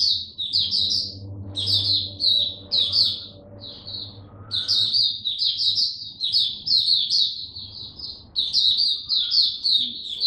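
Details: Caged Oriental white-eye (Mata Puteh) giving its 'buka' opening song: rapid high twittering phrases, repeated in bursts separated by short pauses, with a faint low hum beneath.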